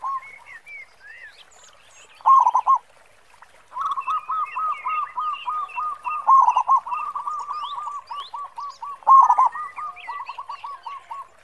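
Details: Local zebra dove, perkutut lokal, singing with a big khong voice, kept for use as a lure bird: rapid rolling coos repeated in long runs, with several loud bursts and faint high chirps of other birds behind.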